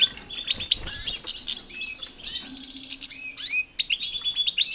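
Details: Several European goldfinches in an aviary shared with canaries twitter in fast, tinkling, high-pitched runs of overlapping chirps and trills, with a faint low hum underneath.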